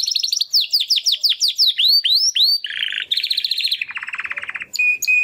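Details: First song efforts of a young Timbrado canary brother after its first molt, caged: fast falling chirps speeding into sweeping slurs, then low and mid rolled trills, ending in a clean high whistle.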